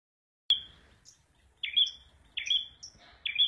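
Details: Red prenjak, a prinia, singing: high whistled notes with a sharp onset and a flat trailing tone, repeated at irregular gaps of about a second, with faint higher chips between phrases.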